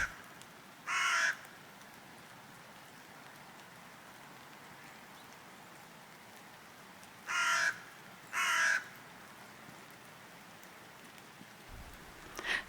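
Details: A carrion crow of unknown sex in Augarten, Vienna, gives four harsh, hoarse caws: one early, then two close together, the last cut short, over a steady background hiss.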